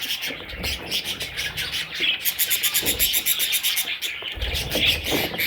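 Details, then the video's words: Several baby parrot chicks chattering together: a dense, continuous stream of high, scratchy chirps with fast pulsed bursts and a few low thumps underneath. "Baby Parrots – Sweet Little Chicks!"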